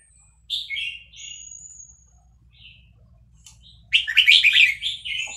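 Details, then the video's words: Caged Vietnamese red-whiskered bulbul, excited by playback of hatched chicks, sings along in a fast-linked song style: short warbled phrases near the start, a pause with a thin high whistle, then a loud burst of rich chattering notes. "นกกรงหัวจุกเวียดนาม ต่อดอกเร็ว เปิดยั้วลูกนกฟักแล้วคึกร้องตาม"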